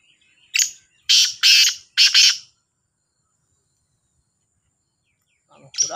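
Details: Competing black francolin calls: a single harsh, creaky phrase of four rasping bursts, a short note then three longer ones, followed by silence until the next call starts at the end.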